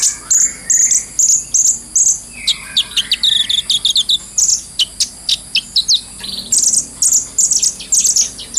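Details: Brown-throated sunbird, a training recording for teaching songbirds, in full continuous chatter: high, thin chirps and short trills repeated in rapid bursts, with a few lower sliding whistles mixed in.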